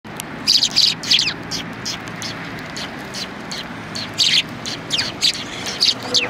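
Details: Several sparrows perched on a bench at a Tenmangū shrine on 21 January 2020. They give short bright chirps in loose bursts, with quiet gaps around the middle, over a soft steady background hum.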